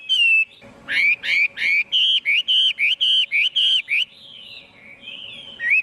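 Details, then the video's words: Chinese hwamei in full song, recorded clean: one whistle, then a burst of rich repeated notes about three per second, trailing into softer warbling wavering whistles and a final rising note. "Tiếng chim hoạ mi hót không tạp âm"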